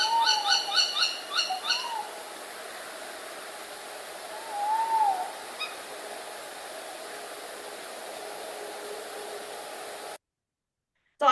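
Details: Two tawny owls calling at night: a burst of rapid, stacked hoarse notes in the first two seconds, then a single wavering hoot near five seconds, over steady background hiss; quiet afterwards, ending abruptly.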